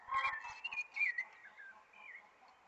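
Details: Spring thrush (sabiá) song, a short run of bright whistled notes, some sliding downward, ending in a softer fading phrase.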